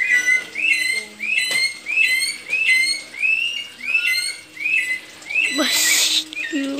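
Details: Papuan friarbird (koak, no casque), kept bird returning after being let loose, repeats clear, nasal upslurred notes, about two per second, then a brief burst of rough noise near the end.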